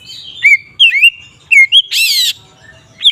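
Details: Magpie-robin in the ngeplong song style used to anger rival magpie-robins. Short downslurred whistles and chirps, broken by one loud, harsh, buzzy rasp lasting about a third of a second.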